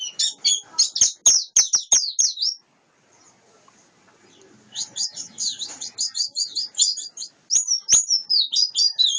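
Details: A wild-caught white-eye sings bursts of rapid, high, sweet chirps, then falls silent briefly before launching into another fast twittering phrase, with a few sharp clicks.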